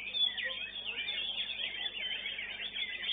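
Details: A greater green leafbird sings at a songbird contest, a fast, continuous run of high, varied whistles and chattering slurs, with other competition birds possibly mixed in.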